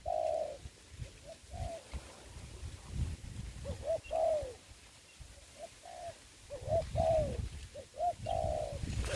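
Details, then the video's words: Spotted dove used as a ground decoy while trapping in Vietnam, giving repeated low cooing phrases near 600, short notes in groups with longer held coos, over low rumbling background noise. "bẫy cu gáy cùi bắp clip17(bẫy cu gáy mồi đất ) đánh cu gáy"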